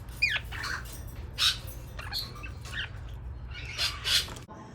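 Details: A pet lineolated (barred) parakeet gives soft, short chirps and warbled notes in scattered bursts, gentle and pleasing rather than squawky, over a low steady hum.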